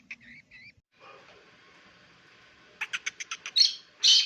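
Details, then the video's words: Black francolin chick calling. A few short, thin chirps come first, then a quiet stretch. A quick series of sharp clicking notes follows, ending in two louder, harsh bursts. "Black Francolinus teetar chick voice"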